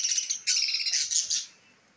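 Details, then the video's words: A parrot gives a rapid run of harsh, high-pitched chirps for about a second and a half, each burst bright and scratchy, before the sound stops and only faint background remains. "طوطے کی اواز"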